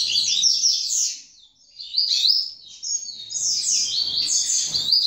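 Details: Young double-collared seedeater from a Brazilian breeder delivers a fast, continuous high twitter of stacked buzzy slurred notes, broken by one brief pause before resuming more densely.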